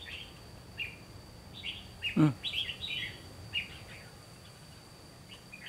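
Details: Red-whiskered bulbul decoy bird used for trapping, giving short warbled phrases around the mid-high range, spaced irregularly over several seconds, with a low thump and quiet background rumble between notes.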